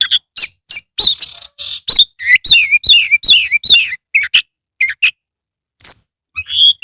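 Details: Prolific song of a caged Oriental magpie-robin (kacer): a dense run of whistled slurs, harsh chirps and downward-bending notes, fast and varied, then sparser single whistles toward the end.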